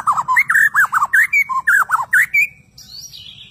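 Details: Captive Bornean White-rumped shama in persistent song: a fast series of about a dozen looping whistled notes, each swooping up and down, then a thin high descending whistle trailing off.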